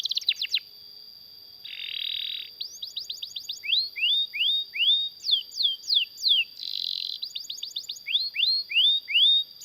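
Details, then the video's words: Canary singing to tutor other canaries: short bursts of quick trill notes, a brief buzzy roll, series of rising whistled slurs and sweeping notes, with a steady high tone running underneath. "BURUNG KENARI GACOR NGEROL PANJANG UNTUK MASTERAN KENARI DAN PANCINGAN KENARI AGAR BUNYI GACOR"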